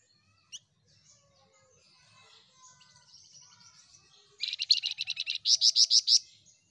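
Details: Flamboyan in full active song with other birds of its kind. Soft thin notes build up to two loud, rapid, high trills, the second made of slower, stronger pulses at about five per second. The background is quiet.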